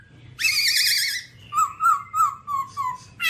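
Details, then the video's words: Babbler gives one harsh, buzzy wavering note, then a string of five clear whistles that slowly fall in pitch. "birds Timaliidae singing"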